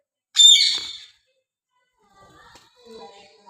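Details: Rose-ringed parakeet (Psittacula krameri), chirp.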